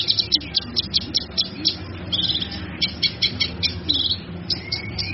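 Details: Male kinoy singing as tutor material for other birds: rapid high chattering notes in short repeated bursts, some buzzy trills, over a noisy low rumble.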